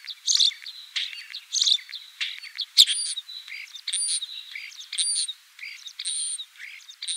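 A common starling sings a busy medley of clicks, rattles, squeaks and thin high whistles, with a new phrase about every second; no other sounds intrude.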